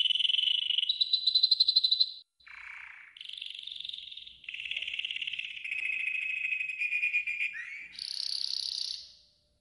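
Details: Yellow golden canary training song with varied sections: fast rolling trills at shifting pitches, a short buzzy dip, a swooping note and a final high bright trill.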